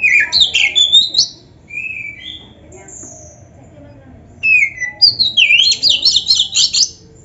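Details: Oriental magpie-robin singing to stir caged birds into reply: scattered high whistled phrases and slurred notes, a quieter gap mid-way, then a dense run of sharp rising and falling whistles.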